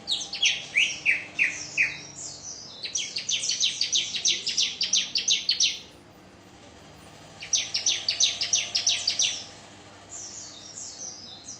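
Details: Song of a bar-winged prinia: descending chips give way to a long fast train of high buzzy repeated notes, a pause, then another rapid burst and faint high notes.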